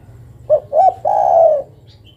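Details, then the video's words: Female spotted dove summoning the male with a single phrase of two brief cooing notes and a long, mellow, drawn-out coo, with a faint high chirp afterward. "Suara burung derkuku betina memanggil jantan"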